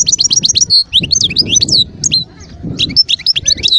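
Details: European goldfinch singing in the wild near Skikda, Algeria, 2022: bright, rapid tinkling chirps and downward-sliding whistles in quick succession, a short gap, then more jangling twitters.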